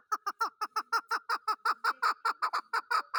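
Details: Chukar partridge, a desi chakor, repeating hoarse throaty chuck notes at a brisk, fairly even pace, roughly five per second, loud and unbroken.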